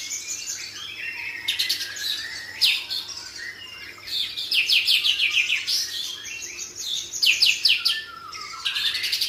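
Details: A white-rumped shama singing in the kapas tembak style while spreading its tail, used as tutoring song for training other birds: rich, loud whistled phrases mixed with rapid rattling trills and sweeping notes, nearly continuous.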